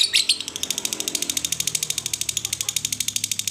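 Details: Lovebird chattering ngekek meant to prompt other lovebirds to sing: opens with a loud squeaky chirp, then a quick, evenly spaced train of thin high clicks that continues to the end, with faint room noise beneath.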